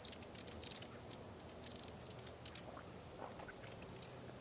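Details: A flock of long-tailed tits feeding overhead, calling in thin, very high 'see-see' notes and short twittering trills, overlapping several times a second, over faint background hiss.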